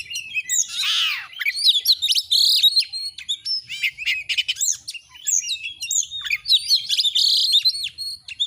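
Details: Energetic Oriental magpie-robin song used as tutor audio to stir a bird into tail-spreading display. It is a continuous stream of bright whistled phrases, a rasping note near the start, and quick up-and-down slurs with short chattering bursts.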